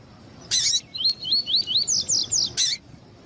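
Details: Caged double-collared seedeater, female calling to excite the male: a rapid series of about eight rising, slurred whistles climbing slightly in pitch, framed by two loud harsh bursts.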